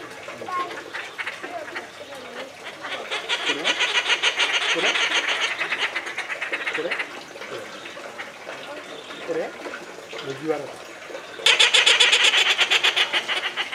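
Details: Inca terns calling constantly at Tama Zoological Park, Japan, July 2019: harsh, rasping squawks in rapid bursts, with voices murmuring in the background.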